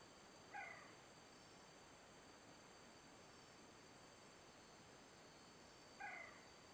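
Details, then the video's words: Grey-cheeked bulbul gives two short, nasal, slightly harsh notes about five seconds apart over a steady background hiss with a faint high insect drone. "Grey-cheeked bulbul"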